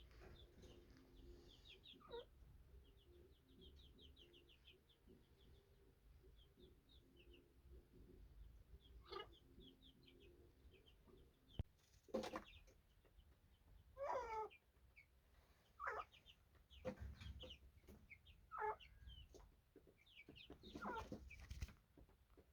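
Budgerigars chatter in rapid, high warbling chirps, broken by louder harsh squawks, over a low background hum.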